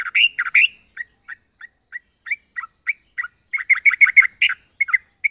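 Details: Yellow-vented bulbul opening with a loud chattering flourish, then spaced single chirps that quicken into a dense burst of rapid notes.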